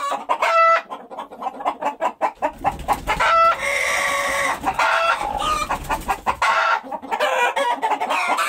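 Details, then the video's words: Several chickens clucking and cackling together, short throaty notes in quick succession broken by louder drawn-out squawks, forming a busy, overlapping farmyard chorus. "SOM DE GALINHA"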